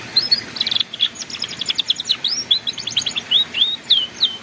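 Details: Canary song used as a master recording for young canaries learning the ngeriwik style: rapid high chirps, trills and upslurred whistles in quick succession over a steady hiss.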